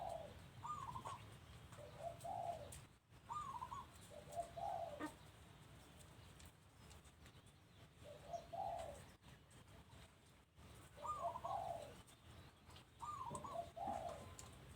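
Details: Doves calling at a home, soft mellow cooing phrases, alternating lower and slightly higher notes in overlapping bouts through the clip, faint against a steady low rumble of background noise.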